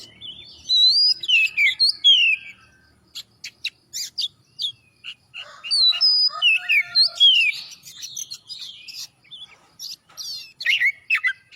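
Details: Vigorous singing of an Oriental magpie-robin, played to coax other birds of its kind into song: quick runs of varied whistles, chirps and twitters in phrases broken by brief pauses.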